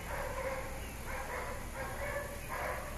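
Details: Peach-fronted parakeets feeding on flowers, Pouso Alegre, Pantanal, Brazil; four rough, buzzy calls repeated about every half second against constant background hiss.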